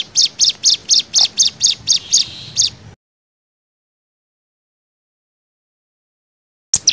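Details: 'Nembak' variation from a Hill Prinia, used to tutor young birds: a burst of about ten rapid, high, sharp notes lasting three seconds, then silence and a brief new start.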